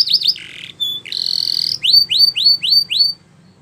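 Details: Short burst of Spanish Timbrado canary song: twisting high notes, a sustained buzzy trill, then five clear rising whistled notes repeated evenly, over a faint low hum.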